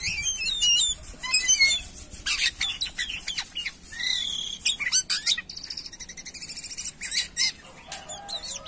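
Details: Jalak kapas myna singing actively, a busy mix of sharp whistles, rising and falling slurs and dry rattling chatter, delivered in rapid bursts with brief gaps.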